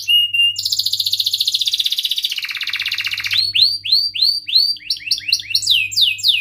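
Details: Gacor canary song with cuit-cuit chirps and ngerol rolling, meant to dominate rivals and tutor young birds: a short whistle, a long pulsing trill, then quick descending chirps speeding into a jumble of sweeps.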